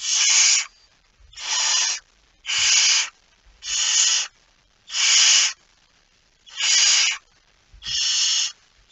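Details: Barn owl with a mouse, recorded 17 September 2019 at 01:49: seven harsh, breathy hissing bursts, each about half a second long, repeated roughly every second and a bit, with faint low thumps between them.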